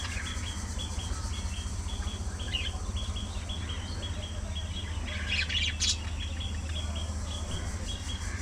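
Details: A budgerigar colony keeps up rapid, evenly spaced high chirps, broken by a louder burst of scratchy chatter near the end, all over a continuous low mechanical drone.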